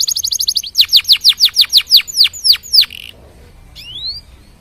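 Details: Canary singing to encourage other canaries to sing, with a fast trill followed by a dozen steep, loud descending notes, a quiet gap and a single soft rising whistle.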